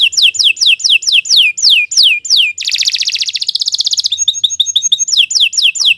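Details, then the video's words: Canary singing a long lively song for training other birds: steady runs of downslurred whistles about three per second, a buzzy rattling trill, fluttering clicks, then whistles again. "Kicau Burung Kenari II GACOR PANJANG Cocok untuk Masteran"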